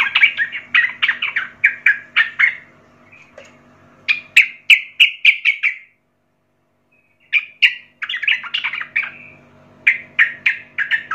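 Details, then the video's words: Young wild-caught Sooty-headed Bulbul singing energetically: bursts of rapid, bubbly chattering phrases, several strong clipped notes repeated in a row, broken by a brief silence before the lively warbling resumes. "trucukan gacor Muda hutan"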